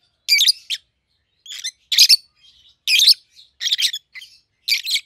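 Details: A pair of young captive peach-faced lovebirds, red-headed green opaline and red-faced dark green, aged 7-8 months, give rasping, screechy chirps about every second, interspersed with softer squeaks.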